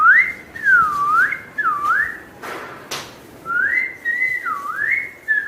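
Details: Pet parrot producing clear, looping whistles that swoop down and back up, in two runs separated by a short pause and a couple of sharp clicks.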